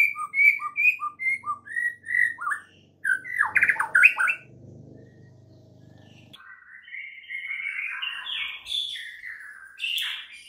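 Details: Morning training song of a white-rumped shama, meant to set other shamas singing: evenly spaced whistled notes, a short harsh passage, a stretch of low background noise, then rising buzzy, scratchy phrases.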